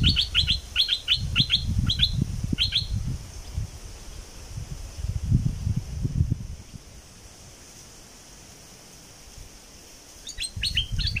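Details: Southern Thai bulbul song, used to stir birds up for trapping: a rapid chattering string of sharp, high chirps at the start, a long quiet stretch with low rumble, then another short chirpy burst at the end.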